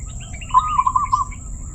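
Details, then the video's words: Zebra dove with a voice described as crystal-clear, giving one short cooing phrase of rapid pulsed notes on a steady mid pitch, lasting under a second, over a low rumble and a faint constant high whine. "perkutut suara keristal"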